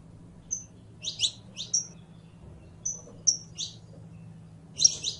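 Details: Canario criollo, or Saffron finch, mixing brief level whistles with bursts of sharp doubled chirps, irregularly spaced with gaps of up to a second, over a low hum.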